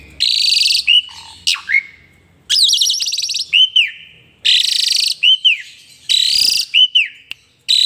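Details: Energetic Asian pied starling, pumping and nodding as it sings, delivering loud rasping blasts, a rapid buzzy trill and arched whistled notes separated by brief pauses.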